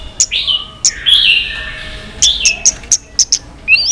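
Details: White-rumped shama in a multi-voiced fighting song while tail flicking: drawn-out, fairly soft whistles broken by a series of short, sharp high clicks.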